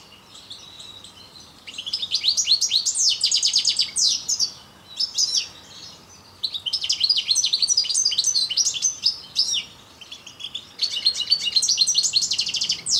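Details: Song of a parva goldfinch; lively tinkling, twittering phrases with quick descending notes and rattling trills, delivered in bursts separated by short quieter gaps.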